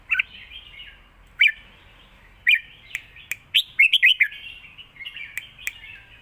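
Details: Red-whiskered bulbuls dueling in song, southern master style, caged. Overlapping chattering warbles and sharp chirps run almost continuously, with several birds seemingly singing at once.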